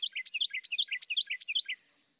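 A Carolina Wren sings a loud, ringing run of quick three-note phrases, about five repeats in under two seconds, with no other sounds.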